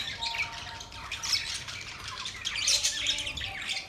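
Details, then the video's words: Budgies twitter softly but steadily, with overlapping high chirps, thin whistles and scratchy notes forming a constant bright murmur that grows slightly louder toward the end. "Beautiful parrot sound | budgies relaxing sound"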